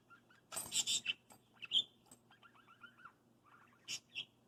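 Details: A 6-month-old hand-raised male pet parakeet attacks his bells before bed, giving a quick run of arched, chirpy warbles, about eight a second, between bright metallic jingles of small bells.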